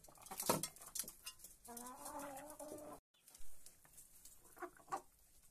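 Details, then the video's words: Hens feeding at first light in the coop; loud pecking knocks at the start, one drawn-out harmonic cluck mid-clip, then a short gap and scattered taps. "gallinas comiendo"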